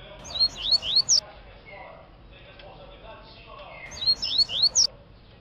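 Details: Mutation double-collared seedeaters singing: two short bursts of bright, quick, high whistled notes with sharp rising and falling slurs, separated by a quieter stretch of low background rumble and faint chatter.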